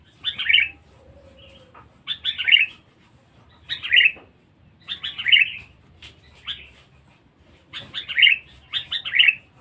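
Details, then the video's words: Sooty-headed bulbul, described as very loud, vocal and aggressive, recorded as a lure for catching bulbuls: bubbly, chortling phrases of a few quick notes, repeated about every one to two seconds, with quiet low hum behind. "pikat kutilang bagus"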